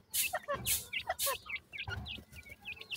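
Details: Mixed francolin chicks, white and brown teetar, uttering clear high peeps that dip and rise, about three per second, interrupted by loud broadband scraping bursts early on.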